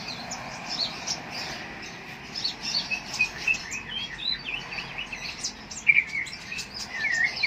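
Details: Lovebird (konin) from Jambi, Indonesia, singing a long run of short, high chirps and twitters with quick up-and-down slurs, some brighter notes near the end, over a steady hiss of background noise.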